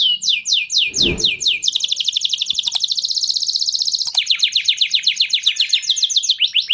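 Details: Canary song for readying females to mate: repeated falling whistled notes, then a long fast rolling trill and another series of quick descending notes; a brief soft thump near the start.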